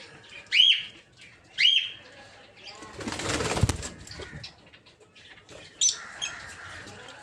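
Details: Peach-faced lovebirds in a breeding aviary give two sharp shrill screeches, then a burst of wing flapping and rustling, another squeal and soft chatter near the end.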